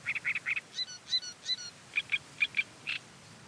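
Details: A reed warbler singing in windy reeds, a chattering song of grating notes, each repeated two or three times before switching to a new note, at a brisk, jerky pace.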